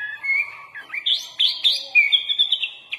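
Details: Sooty-headed bulbul, called kutilang, singing a varied full-isian master song: soft low chatter rising into loud, fluty, slurred whistles and sharp notes, delivered in quick bursts with changing pitch.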